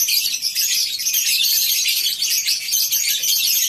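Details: Colony-housed lovebirds at a farm in the morning, a thick, even hiss of high-pitched overlapping chirps and squeals with no real pauses.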